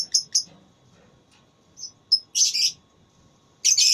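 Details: Contest lovebird calling, with two quick sharp chirps, a pause, thin high notes, then two loud scratchy chattering bursts separated by a second of quiet.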